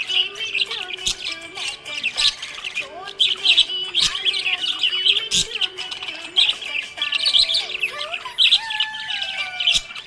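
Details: Happy budgerigar chirping: a continuous, dense chatter of scratchy warbles, squeaky whistles and fast clicks with sliding notes, several voices overlapping throughout without pause.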